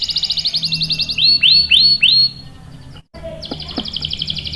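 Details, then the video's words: Canary voice for training and drawing out young males: a bright trill, then four swooping slurred whistles, a quiet pause, and a renewed fine trill with faint lower notes. "SUARA KENARI GACOR ampuh buat pancingan dan masteran kenari paud dan macet | CANARY SINGING"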